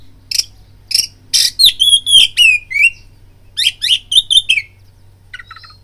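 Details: Oriental magpie-robin song meant to provoke fighting: rasping notes followed by clear high whistles and a quick series of sharp chirps, ending in a faint distant note.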